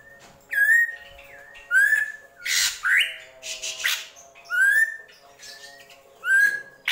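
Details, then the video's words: Drongo known as srigunting krantil singing gentolang: clear whistled notes rising to a level tone, each introduced by faint descending chirps, mixed with harsh noisy bursts in the middle, repeated roughly every two seconds. "SRIGUNTING KRANTIL | GENTOLANG"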